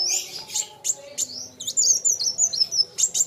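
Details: Kolibri wulung sunbird in rivalry singing: sharp high chips and quick looping slurred whistles in fast succession, with a soft low background hum.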